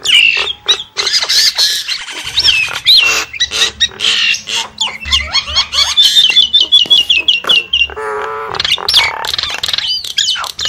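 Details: Javan myna call used as a lure: busy harsh chattering and squawks, then a run of quick repeated slurred notes, followed by a low nasal buzzy call before more chatter.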